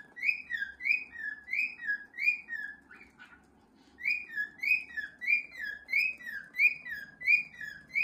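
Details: Cockatiels kept as pets, indoors, performing their whistled 'cockatiel march' as a young male tries to join: rapid series of clear descending whistles, about one every half second, a short gap with a soft scratchy note, then the run resumes.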